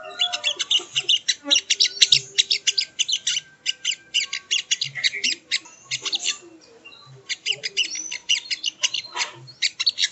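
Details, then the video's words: Sogo ontong (sogon) delivering energetic, rapid high chirps and scratchy twitters in long dense runs, with brief lulls and a few lower squawky notes; made as bird-training audio. "Masteran Burung Sogon ( Sogo Ontong )"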